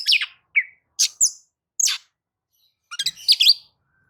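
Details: Oriental magpie-robin lure song used to get other birds singing, here a few spaced harsh notes followed by a tight cluster of twisting whistles.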